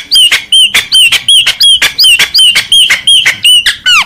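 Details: Mateiro baiano style song of the Chopi blackbird (graúna preto): a brisk, fairly regular series of short bright whistles, each paired with a sharp click, repeated about every half second and ending in a descending note.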